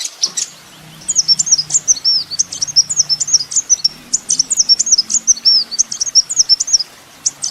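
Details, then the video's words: Olive-backed Sunbird (kolibri ninja) on a master recording for songbird training: lively, varied high twittering phrases of sweeping and trilled notes, with a faint low hum underneath. "masteran mewah full isian kolibri ninja"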